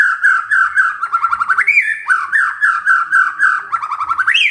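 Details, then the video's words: White-rumped shama singing gacor after provocation, a continuous stream of rapid rolling whistled notes broken by upward-swinging slurs. "murai TERPANCING emosinya, nyaut GACOR"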